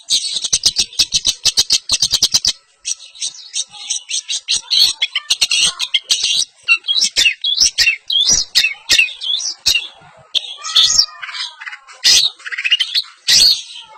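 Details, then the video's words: Long-tailed shrike (pentet), an East Javanese semi blangkon type, delivering its isian mimicry song in champion style: dense harsh chattering bursts, with a fast run of sharp clicks in the first two seconds, then varied scratchy phrases. "pentet semi blangkon- bongkar isian -gaya juara - pentet jawa timuran"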